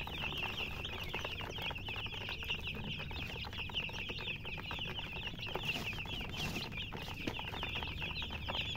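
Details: Continuous flock chirping from chickens: many quick, high, thin peeps overlap without pause, with a steady low background noise.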